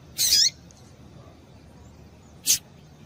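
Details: Female double-collared seedeater call used to prompt males to sing: a loud, somewhat buzzy, high note sweeping downward, then a pause and one short sharp chip.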